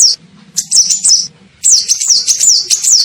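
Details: Sunbird called kolibri ninja, recorded as a lure to draw birds in: two fast runs of piercing, high twittered notes, the second longer with repeated downslurred whistles, over a soft low background hum.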